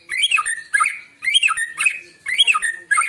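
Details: White-rumped shama singing in the morning, a recording used to lure birds: rich whistled phrases with rapid slurred notes, delivered in three bursts about a second apart, with short silent gaps between them.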